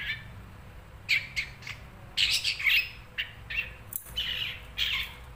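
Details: Long-tailed shrike, a cage bird: rapid harsh, buzzy chattering phrases in short clusters with brief gaps, over a faint low hum.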